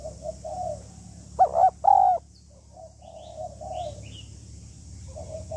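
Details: Female spotted dove in the 'hạp bổi' voice, calling to stimulate the male: soft coos, a single loud ringing coo phrase of two short notes and a longer one, then more quiet coos over background hum.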